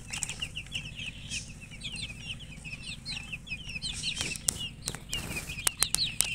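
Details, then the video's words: Loud chirping from a group of newborn chicken chicks, quick downward-slurred peeps packed closely together, with a few sharp clicks and knocks near the end. "Tot Murgi chicks chirping sounds Just Born Baby Gallina FRACAS Chicks Piar Loudly Sound"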